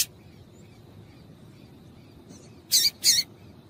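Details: A female double-collared seedeater gives the call meant to get males singing: a soft faint note, then two quick loud high chips in close succession near the end, with little else heard.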